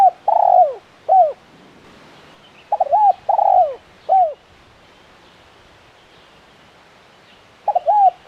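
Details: Spotted dove, a frequently calling decoy bird with a crisp "kuk 1" voice. It gives bursts of short hooked coos and longer mellow notes in uneven groups, with a silent gap of about three seconds before the final phrase.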